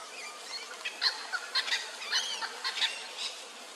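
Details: Little wattlebird in a standoff with a noisy miner on Darug Country, Sydney; harsh, rasping bursts scattered through the clip, interleaved with sharper, higher chips from the other bird.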